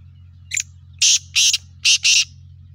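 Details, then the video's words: Black francolin, known locally as kala, desi or Sindhi teetar, giving its call: a short thin introductory note, then four loud, harsh, grating bursts in two pairs over about two seconds, over a low steady hum. "kala teetar ki awaz black teetar ki awa desi teetar ki awaz sindhi teetar ki awaz teetarvoice"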